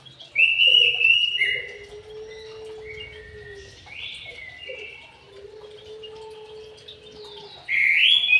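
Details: Caged white-rumped shama in an aviary: strong whistled phrase at the outset, quieter intervening notes, then another loud rising whistled burst at the close, with a soft low drawn-out tone beneath.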